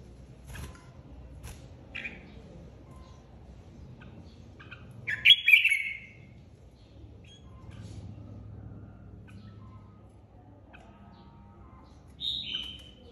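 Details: Red-whiskered bulbul flock leader just moved out of an aviary, kept as a caged bird and singing competitively: a bright slurred whistled burst mid-way, a later short falling whistle, faint chirps and quiet gaps between.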